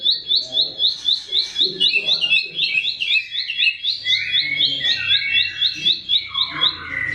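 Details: Bar-winged prinia, a small bird whose voice serves as training song for cage birds, delivering rapid repeated high upslurred chips, with a busier jumble of lower twittering notes toward the end.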